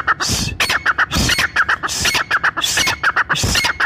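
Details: Brown francolin calling, said to draw every francolin in the forest together and aimed at hunters: rapid rhythmic series of harsh bursts mixed with short whistled notes, repeated without pause.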